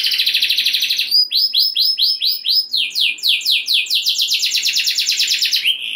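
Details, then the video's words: Canary rolling song meant to raise other canaries' urge to sing: rapid trill, then rising-and-falling slurred notes, building into a long, fast, continuous roll. "Kenari Gacor Ngeroll Nembak Joss! Buat Naikin Emosi Kenari Lain Biar Gacor Ngedur Ngerek"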